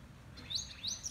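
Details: A wagtail at Taj Gateway, Chikmagalur, India, gives two or three quick, high, rising chirps about half a second apart over a faint low background hum.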